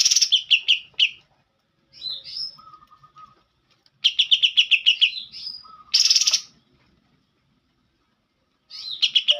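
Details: Isian kapas tembak song from a green leafbird: fast chirped note series, a sliding whistle, a low dry trill, and a loud harsh buzzy burst, with silent gaps between phrases.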